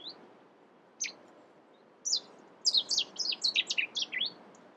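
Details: Cetti's warbler in the UK: a few isolated sharp chips, then an explosive burst of loud, rapid repeated notes over about a second and a half, against quiet background hiss.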